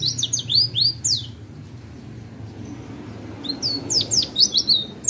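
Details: Captive Oriental white-eye giving roll tembak song: a quick volley of high swooping chirps, a pause of about two seconds, then another rapid string of sharp slurred notes; low hum throughout.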